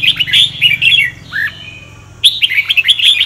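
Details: Red-whiskered bulbul singing in the Sông Kon style, a song used to train other birds' voices: quick bursts of bright warbled chirps that rise and fall, a short low slurred note midway, then a fresh run of chirping phrases.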